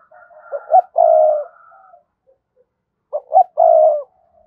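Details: Spotted dove cooing to call a rival bird: two phrases, each two short rising notes then a long loud coo, with a soft trailing murmur between, about three seconds apart, in a quiet setting.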